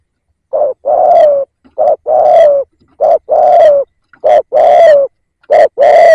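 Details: Spotted dove used as a decoy, cooing steadily with four or five phrases, each a brief note and then a longer rich coo, repeated about every second and a half with no other sounds.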